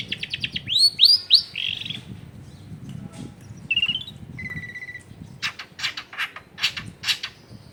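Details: Long-tailed shrike song meant to provoke reluctant shrikes into singing, recorded at home in a dense residential area: fast rattling notes, downslurred squeaks, two steady whistles, then harsh buzzy bursts.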